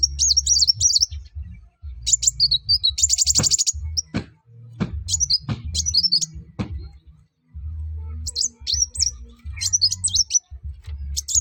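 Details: Sunbird in vigorous song to encourage other birds to sing: repeated high, quick twittering phrases and a dense trilled burst, over a steady low hum and occasional clicks.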